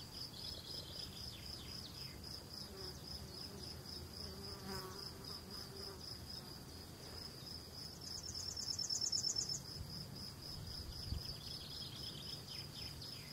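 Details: A Yellowhammer singing in Val Veddasca (VA) gives a quick, high run of repeated thin notes, partly masked by a steady, shrill insect buzz that runs throughout.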